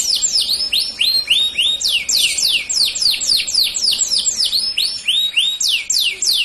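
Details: Dark-coloured male canary singing: fast series of clear whistled notes, each sweeping down then levelling, repeated several times a second in rolling phrases, with no other sounds.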